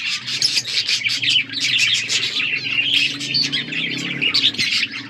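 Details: Several budgerigars chirping while playing, a thick chorus of quick rising and falling twitters and warbles, with a steady low hum underneath.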